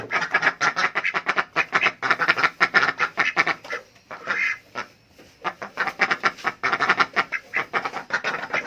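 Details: Adult duck calling for food with loud, rapid, rasping quacks in dense bursts, broken by a short lull midway before the chatter resumes.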